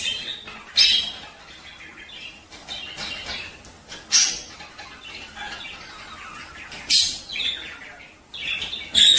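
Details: Male budgerigars singing at mating time to stimulate pairs to breed: scattered short, bright chirps and squeaky chattering bursts every few seconds over a soft, steady hiss.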